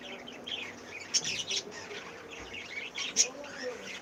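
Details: Cockatiels in a breeding setting with chicks expected soon: sharp high chirps and short whistled notes come in small bursts, with a busy background of other bird chatter throughout.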